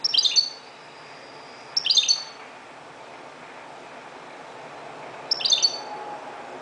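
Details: Moroccan European goldfinch at dawn delivering three short, sparkling twittered phrases, the first two close together and a longer pause before the third, over soft background hiss.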